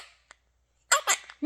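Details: Quaker parrot kept as a pet, talking in a small room: after near silence and a faint tick, three quick harsh, speech-like syllables, the last starting a rising note.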